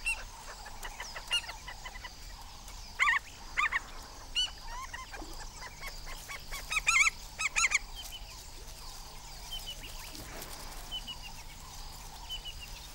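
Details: African skimmers calling in alarm while protecting young chicks in their first days of life from a monitor lizard; scattered sharp, nasal, yelping notes in irregular bursts, denser around three and seven seconds, over steady background hiss.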